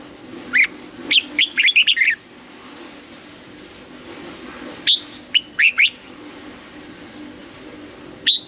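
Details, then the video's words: Red-whiskered bulbul in its double-note morning song, wild mature style, giving a fast run of clear warbling whistles, a pause, a second shorter phrase of four notes, and one high note at the end. "Luyện giọng cho chào mào hót sáng, ép chào mào hót âm kép già rừng hay tuyệt"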